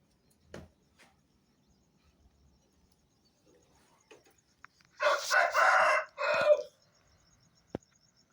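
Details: Aseel rooster crowing at dawn around 4:30 am on a farm as a wake-up call: one loud harsh multi-part crow near the end, preceded by quiet rustles and clicks, with a faint steady insect trill throughout.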